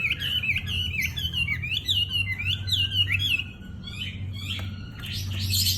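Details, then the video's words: Wambi in strong full song: a fast series of rising and falling whistled slurs, about four per second, then a quieter pause and a burst of high scratchy notes; low indoor hum underneath. "WAMBI GACOR"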